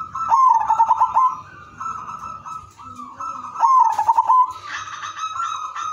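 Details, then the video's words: Zebra dove, udanmas silver type, delivering a melodious song used to prompt other doves to sing: a quick rattling run of pulsed coos, then smooth sustained tones, repeated twice, ending in a long rising note. "perkutut udanmas silver irama merdu spesialis pancingan bikin semua perkutut ikut manggung"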